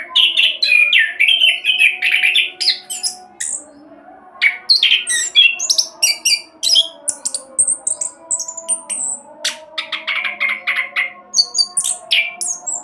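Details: Fast rolling song of an orange-headed thrush, kept to coax other birds into singing: continuous torrent of mixed warbles, buzzy chatters and clear high whistles, a short lull near the fourth second, then more varied phrases.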